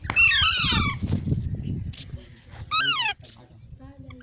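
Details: Baby parrots calling with harsh, descending harmonic squawks, one long burst near the start and another after a pause, over low rumbling background noise.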